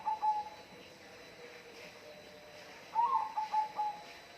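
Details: Bird calling with brief whistled notes in two short phrases separated by a quiet gap, over a soft steady hiss.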